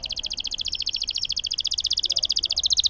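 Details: Active singing canary giving a long roll, used to prompt silent canaries into song: a fast, even, high trill of rapid buzzy pulses held steadily across the whole stretch, growing slightly louder toward the end.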